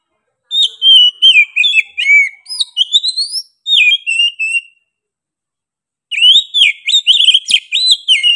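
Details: Oriental magpie-robin singing loudly and persistently: rapid strings of varied whistles, slurs and short chirps in two bursts separated by about a second and a half of silence, the second burst fast and jumbled.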